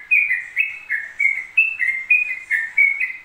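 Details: Yellow-vented bulbul singing continuously: bright, bubbly warbled phrases of alternating higher and lower notes, about seven phrases in three seconds, clean with no other sounds.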